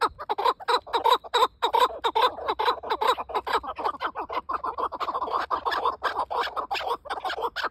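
Chukar partridges keep up a fast, harsh chatter of clucking notes that runs together into a busy chorus.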